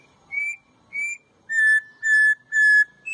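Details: Whistled-style song of a Campo troupial in Brazil: two short mid-pitched whistles, then three longer, steady, lower whistles in a regular rhythm.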